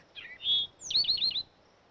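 An Eastern towhee sings its drink-your-tea song: two short, dropping notes and a held whistle, then a fast ringing trill of about five notes. The background is quiet.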